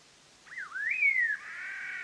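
Black-hooded Laughingthrush giving one clear whistled phrase that dips, climbs, then slides down, followed by a steady, slightly buzzy held note.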